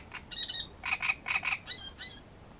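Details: Great reed warbler singing at Grachevka: loud, harsh, croaking notes grouped in quick pairs and triplets, grating chirps alternating with higher squeaky notes over about two and a half seconds, against a quiet background.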